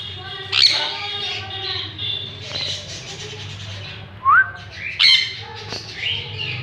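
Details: A sun conure (Aratinga solstitialis) at a pet store gives a few loud, harsh squawks over a steady indoor background hum.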